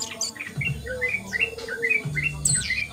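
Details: Asian brown flycatcher (Muscicapa dauurica) giving a steady series of short, rising chirped notes about once a second, with a sharp high note near the end and a faint low whistle and hum beneath.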